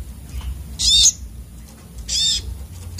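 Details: Agitated sunbird, called sogok otong locally: two drawn-out, very high, rasping buzzy phrases about a second apart, each lasting roughly a quarter second, with steady low hum behind.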